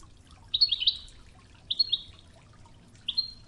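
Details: European goldfinch singing Toughza, the Oujda style, for training over river water; a quick cluster of twittering notes, then two short bright phrases and a final clear chirp above the steady trickle.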